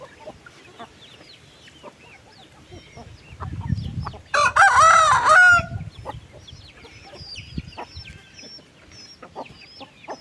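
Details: Chickens on a farm at afternoon feeding time: one loud, harsh, harmonic call lasting over a second rises above a steady background of scattered high peeping chirps and soft clucks, with a low rumble underneath.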